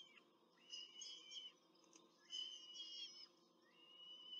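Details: Peregrine falcon pair with chicks at a nest in Rome, recorded by a nest camera during a brief feeding in April 2024; thin high squealing notes in drawn-out bursts, pausing between, over a faint steady hum.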